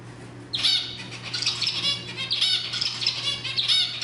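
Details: Zebra finch song played to stimulate other birds: from about half a second in, dense runs of nasal, buzzy harmonic notes fill the rest of the clip over a steady low electrical hum.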